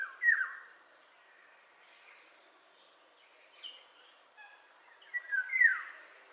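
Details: Eurasian golden oriole singing: loud, fluted, whistled phrases that slide down and up, one burst at the start and another near the end after a quiet gap, with faint higher calls from other birds in between.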